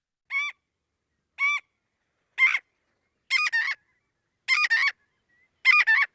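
Marbled Godwit giving loud, nasal, two-part calls, often doubled like "god-wit," repeated roughly once a second with slight variations; no other sounds.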